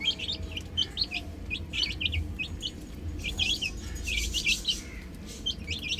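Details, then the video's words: Several chicken chicks playing on a roof call together: rapid, high, falling peeps come in clustered runs with brief gaps, over a low rumbling background. "Adorable Chicks Chirping Sounds"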